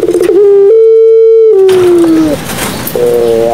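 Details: Barbary dove of the Madura pelung style, played to prompt silent doves to call: long, steady, low droning coos that bend upward, hold, then slide down, close and loud, with harmonics, indoors.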